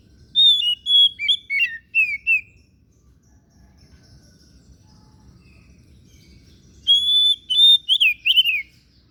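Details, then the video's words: Song of a kacer daput oriental magpie-robin: a loud, rapid string of piercing whistles and falling slurs, then a long quiet gap before another energetic whistled burst with a few harsher trills near its close. "KICAUAN KACER DAPUT MEMPESONA"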